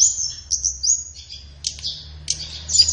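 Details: High-pitched flowerpecker song recorded as training material for caged birds, morning or afternoon: thin drawn-out whistles and short buzzy chatters, with a steady low hum in the background.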